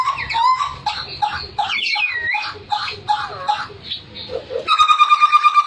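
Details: Papuan hooded butcherbird in vigorous song, said to sing until coughing: a quick run of varied liquid whistles, loops and slurs repeated about three times a second, ending in a sustained pure whistle with ringing overtones.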